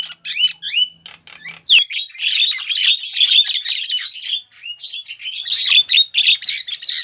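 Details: A female Javan myna calls to a male, opening with scattered whistled upslurs and clicks, then breaking into a long, continuous chatter of harsh squawks and whistles.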